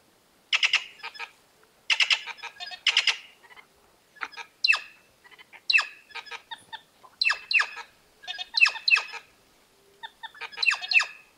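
Plush-crested Jay giving three harsh, raspy bursts, then a lively run of sharp, downslurred notes, several each second.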